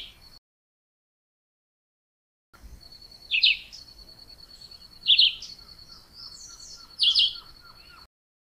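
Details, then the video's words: Chivi vireo song: brief, squeaky warbled phrases spaced roughly two seconds apart. A constant high-pitched whine sounds behind it, and a soft row of quick lower ticks comes near the end. "Canto do pássaro juruviara"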